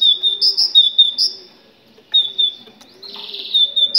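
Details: Authentic Moroccan great tit song meant to prompt other tits into singing: clear, ringing high notes delivered in quick repeated pairs, a two-second pause, then another rhythmic run, with a soft background hum.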